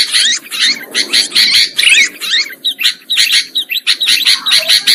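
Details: Sooty-headed bulbul lure sound for catching birds: scratchy, buzzy chatter pulsing quickly, mixed with short whistled curls, growing choppier with short clipped notes in the second half.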